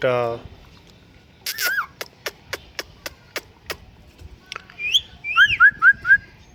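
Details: Pet talking parrot: a brief speech-like burst, then a run of evenly spaced sharp clicks, followed by a string of short bright whistled notes that rise and fall, ending in four quick repeated whistles.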